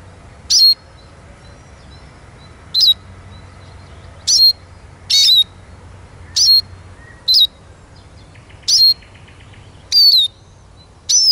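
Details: Eurasian siskin repeating short, sharp descending whistles about nine times over eleven seconds at uneven intervals, with soft faint chirping in the background.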